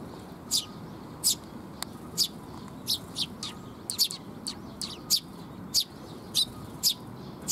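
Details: Sparrows gathering to be fed near a bridge (水上橋), 19 June 2021: bright clipped chirps roughly once or twice a second in a loose irregular rhythm, faint steady rumble beneath.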